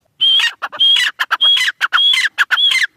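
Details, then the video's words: Francolin known locally as Irani teetar, calling loudly and at length: each phrase opens with a high, level whistled note and breaks into harsh, grating syllables. Clipped extra notes fall between the phrases, and the pattern repeats about every half second. "Dakhe Irani teetar full Masti Awaz"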